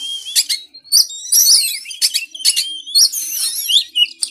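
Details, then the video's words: Training recording of a white-rumped shama for lazy caged birds: clipped chips and scratchy bursts, swirling whistles and trills, and a final short whistled note. "MASTAERAN BURUNG KACER EMOSI"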